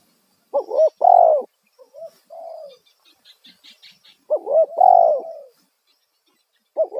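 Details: Spotted dove, kuk satu style lure call, loud and used to attract wild doves. A stuttering double note runs into a long, falling hoot, repeated after about three seconds. A softer coo and faint high twittering sit in between.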